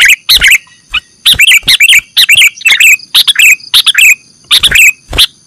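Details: Lure recording of sooty-headed bulbul for trapping birds, with dense runs of liquid, bubbly chirps repeated in short rapid groups throughout and a thin constant high-pitched tone behind them.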